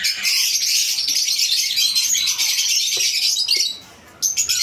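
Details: Hand-fed baby Alexandrine parakeet giving a steady, hoarse, hissing begging cry that carries on without a break, then stops briefly near the end before resuming.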